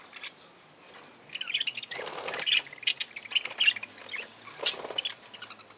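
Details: Aviary budgerigars in a busy burst of overlapping chirps and squawky chatter, with a soft rush of flapping wings in the middle and quieter single calls at either end.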